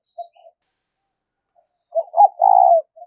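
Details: Decoy spotted dove cooing in the pressing 'thúc rút' style used for trapping: faint soft coos, a pause, then one loud phrase of two quick notes and a long rolling coo.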